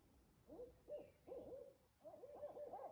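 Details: Barred Owl calling: soft, low, wavering hoots and cackling notes come in short bursts, quiet against a faint background hiss.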